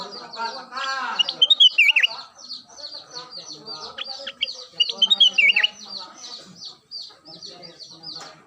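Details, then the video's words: Daily song of a vigorously singing Ruby-throated Bulbul (kutilang emas): two clear whistled, falling phrases about three seconds apart, backed by continuous busy high-pitched chirps. "Kicau harian kutilang emas gacor"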